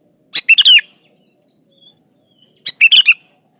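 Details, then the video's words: Gacor sooty-headed bulbul, played to coax other bulbuls into singing: two bubbly, whistled chirp phrases a little over two seconds apart in a quiet setting. "Suara Burung Kutilang gacor"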